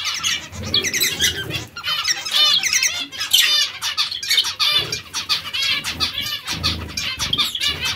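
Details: Dense, busy chatter from a group of zebra finches: rapid overlapping nasal beeps and short harmonic calls from many birds at once, with occasional wing flutters.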